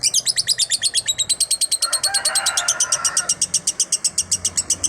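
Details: Caged lovebird giving a long 'konslet' style master song: a fast, even stream of sharp, high chirps, about seven per second, with a brief softer buzzy murmur in the middle.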